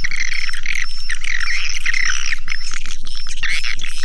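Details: Swiftlet lure sound: dense, steady twittering of chirps and squeaks, looped without pause, over a constant low hum.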